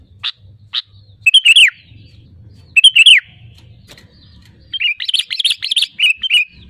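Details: Sooty-headed bulbul lure song to make other birds sing: two short single chips, then two bubbly phrases with a falling note, followed by a longer run of quick chattering notes over faint low hum.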